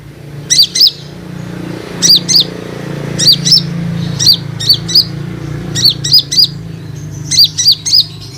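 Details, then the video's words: Lure recording of an Olive-backed sunbird meant to make other sunbirds respond and sing: thin, high chirps in pairs and triplets, repeated roughly every second and a half over a faint low drone. "KONIN Bahan & ombyokan akan Respon dengan Suara Pancingan ini"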